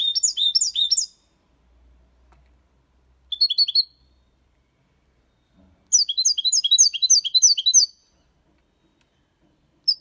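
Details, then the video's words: Six-month-old European goldfinch singing the Malaga copy, a clean song style of colios, complaints and ornaments; quick bursts of bright, tinkling twitters and trills come in short phrases with silent gaps between, the longest lasting about two seconds. "Jilguero cantando Limpio 6 meses/ chardonneret chante la copia Malaga / Goldfinch singing"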